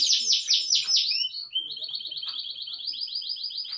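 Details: Canary singing indoors with a long rolling song: a few descending sweeping notes, then a steady fast trill of rapidly repeated notes continuing to the end.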